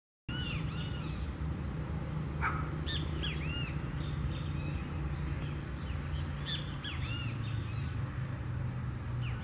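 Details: Blackish rail (Pardirallus nigricans) at Araçatuba, São Paulo, Brazil, giving squeaky, arched, whistled notes, several in loose series, over a constant low rumble.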